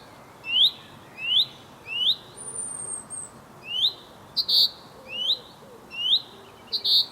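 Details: A male Common chaffinch singing, calling to his mate: short, bright, upslurred notes repeated a little under once a second, with a thin high whistle and a few sharper notes between them.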